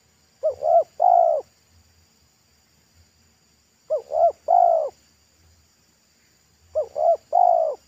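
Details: Wild local spotted dove with a deep, loud pesom-style voice singing near a road. Three evenly paced phrases about three seconds apart, each a double short coo then an extended coo, over faint low knocks.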